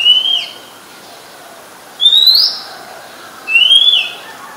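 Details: Oriental magpie-robin, a very common resident bird, singing in Ubon Ratchathani, Thailand, on 17 July 2021; clear whistled notes rising sharply, three separate phrases about one and a half seconds apart over a quiet background.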